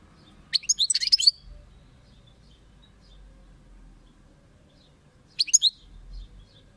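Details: European goldfinch song: two short bursts of high, twittering notes, one near the start and another about four seconds later, separated by quiet background hiss.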